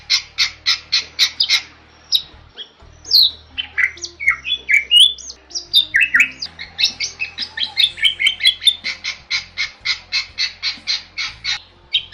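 A Bali myna sings a loud, varied song of harsh rasping squawks and rapid repeated chattering notes, interspersed with rising and falling whistles.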